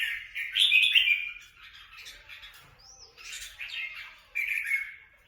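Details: Free-flying red-whiskered bulbuls fighting in Quang Nam, Vietnam. Rich, gurgling, chattering phrases, one loud burst at the start, then softer scratchy notes and a final clear warbled phrase.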